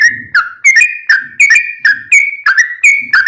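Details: Sooty-headed bulbul song used to train caged birds: loud whistled phrases, each starting with a sharp click then a flat or slightly falling note, repeated roughly every third of a second, with faint low background murmur.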